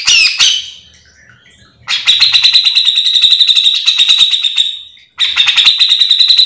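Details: Cucak jenggot (bearded bulbul) singing continuously for training other birds: a harsh opening note, then a long rapid rattling trill of evenly pulsed notes for three seconds, a brief gap, and the trill resuming.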